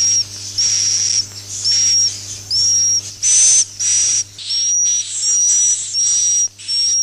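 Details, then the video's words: Roosting call of swiftlets for drawing them into nest houses. Buzzy hisses with a high whistle on top repeat about every 0.7 seconds, some louder and overlapping, over a low hum. "suara inap burung walet"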